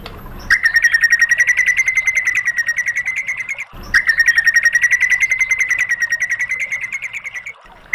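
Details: White-rumped shama training song used to provoke other birds into answering: two long, rapid trills of sharp repeated notes at a steady high pitch, each lasting about three seconds, separated by a brief pause.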